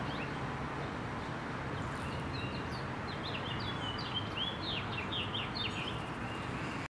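American robin giving a quick run of short, high chirps and slurred notes over several seconds, set against a steady low rumble of wind or distant traffic.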